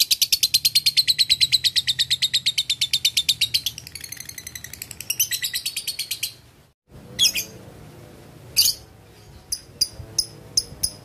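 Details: Male lovebird calling to a rival with ngekek chattering: a fast, shrill, pulsing trill for about six seconds, a short break, then scattered sharp squeaks and ticks.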